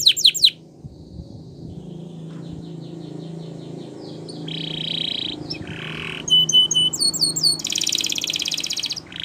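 A Gloster canary sings a fast, varied song of quick descending sweeps, buzzy rolls and rapid trills, with bright rising whistles near the end. A low hum sits underneath.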